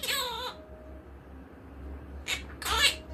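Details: Indoor pet monk parakeet: one loud, grating squawk, a second of quiet with steady room hum, then two more rough, scratchy bursts.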